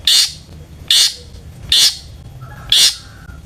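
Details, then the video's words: Long-tailed shrike, a caged songbird kept to provoke other shrikes into singing, giving four loud harsh rasping notes spaced about one second apart, with a faint lower whistle between them. "burung cendet gacor FULL ISIAN buat PANCINGAN CENDET AGAR BUNYI!!"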